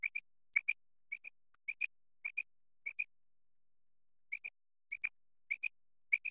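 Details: Quail from Pakistan used in hunting and netting, giving crisp doubled notes, each pair quick and identical, repeated at uneven intervals over quiet background.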